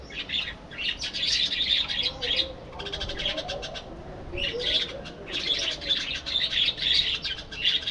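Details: Budgerigar flock in a colony setup: dense, continuous scratchy warbling chatter, a brief run of rapid clicking notes midway, then the busy warble resumes.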